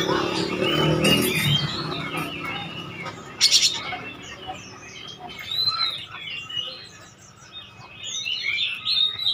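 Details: Lure song of an oriental magpie-robin, used to make other birds reply: a loud noisy burst at first, then scattered quick chirps and short whistled phrases, growing fainter in the middle before picking up again.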